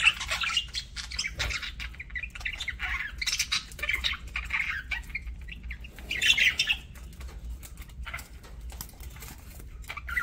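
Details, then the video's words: Budgie eating during a meal, giving broken bursts of squawky warbles and chirps between quieter pauses, with scattered crisp clicks and taps and a faint low hum underneath. "PARAKEET EATING SOUNDS"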